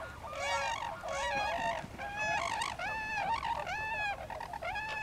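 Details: Tundra swans at Lake Mattamuskeet on 13 January 2013: a dense chorus of many overlapping high, bugling hoots and whoops with rich harmonics, calling continuously from a large flock.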